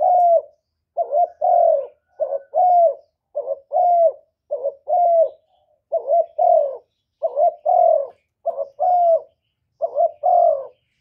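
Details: A spotted dove used as a decoy coos in a contest with a wild bird. Its low, soft double coos, a quick note then a longer falling one, repeat steadily about eight times across eleven seconds, with no background noise.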